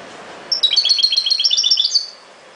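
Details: Song of a European goldfinch, a fast, even string of sparkling high twittered notes, about a dozen in quick succession over one and a half seconds, starting and ending abruptly against quiet background.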